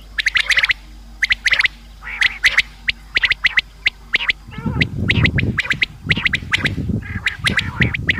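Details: Common quail calling, intended for hunting: quick clipped note clusters in threes, repeated regularly, joined partway through by a heavy low rumble and a raspy descending sound.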